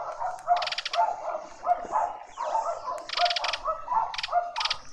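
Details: Southern boubou briefly visiting a suburban garden in Pretoria, South Africa, giving short, hollow, low notes in an irregular run, mixed with bursts of harsh, rasping churrs.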